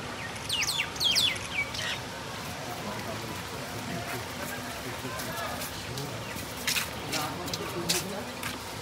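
A rose-ringed parakeet gives a quick burst of harsh, high screeching calls in the first two seconds, then steady background noise with a few sharp clicks.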